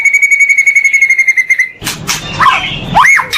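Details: Pastol song of the white-rumped shama (murai batu), a training master for caged birds: a steady string of rapid, even whistled notes at one pitch for over a second and a half, then noisy rasping sounds and an arching whistle.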